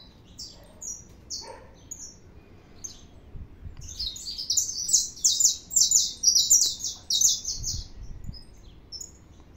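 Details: Saffron finch singing a lot, scattered high chirps at first, then a dense fast sequence of bright buzzy notes in the latter half, with a few low knocks in the background.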